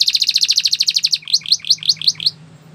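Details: Belgian canary singing as a training song to tempt other birds to sing: a rapid trill of about fifteen bright, high notes, then a slower series of six upswept whistled notes, with a faint low hum behind.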